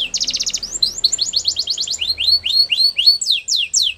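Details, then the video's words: Male canary, a caged trained bird, singing a rapid song: a fast buzzy trill opens, then series of high rising and falling whistled sweeps repeated about twice a second, bright and close. "Canary finch Singing | Canary Sounds Male"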